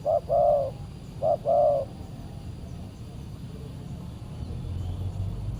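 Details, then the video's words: Spotted dove (tekukur) reacting to a decoy during a lure-trapping session: two paired coos in the first two seconds, short note then longer note, followed by quiet with only low background rumble. "PIKAT BURUNG TEKUKUR D GIMBALIN BL SUPER g4Rang"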